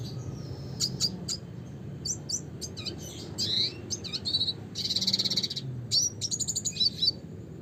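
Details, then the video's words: Classic song of a red siskin, Spinus cucullatus: a fast, varied run of high twitters, sharp chips and buzzy trills that continues for several seconds with hardly a break, over steady low hum. "suara kicauan burung red siskin klasik gacor (spinus cucullatus)"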